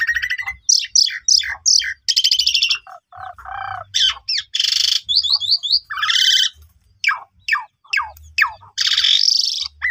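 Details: Asian pied starling song used to provoke sulking starlings into singing: repeated high rattling buzzes, lower grating chatters, loud harsh rasps and brief whistled slurs in quick succession, with faint low thuds underneath.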